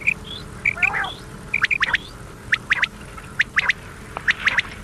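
Common quail giving sharp, liquid three-note calls, 'whit-whi-whit', repeated roughly every second, with faint murmuring and hiss of an old recording behind.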